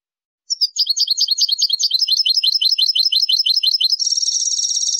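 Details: Spanish goldfinch clean song for juvenile training and contests: a long stream of rapid, rhythmic twittering notes that shifts into a dense, buzzy, high trill.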